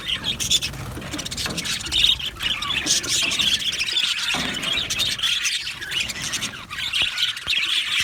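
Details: Aviary colony of budgies, said to be happy, filling the air with overlapping high squeals, chirps and scratchy warbling from many birds at once.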